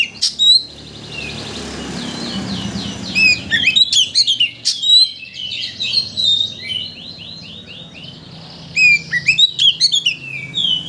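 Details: Oriental magpie-robin song played as a lure to rouse a bird's emotion so it sings its full repertoire. Loud, varied whistled and scratchy phrases come in bursts, with rapid trilled runs in the middle and again near the end, separated by short pauses. A faint low hum sits underneath.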